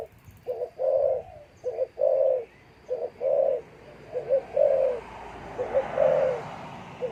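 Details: Caged breeding spotted dove near its mate, cooing steadily: mellow low hoots in repeated phrases roughly every second, short clipped notes alternating with longer ones, faint background hiss.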